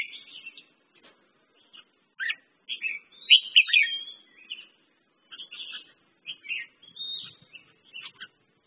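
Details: A red-whiskered bulbul (merbah jambul) sings quick chirps and rich, rolling warbled phrases, loudest in the middle, coming in separate bursts with brief quiet gaps.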